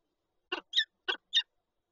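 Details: Peregrine falcon pair at a nest with an egg in Lublin, 19 March 2022: four short, harsh, rasping notes in two quick pairs, the second of each pair higher and more whining, with silence around them.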